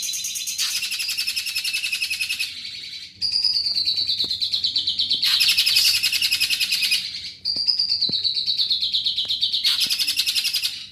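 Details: Greater green leafbird in full song with long bursts; extended, high, dense rattling trills lasting two to four seconds each, separated by short pauses, with a sustained whistle-like band running through the trills.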